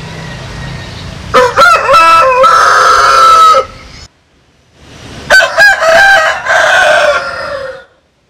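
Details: Two full rooster crows, from a compilation of Vietnamese and American Sil cocks, each with short choppy opening syllables then a long drawn-out ringing note, separated by a silent gap.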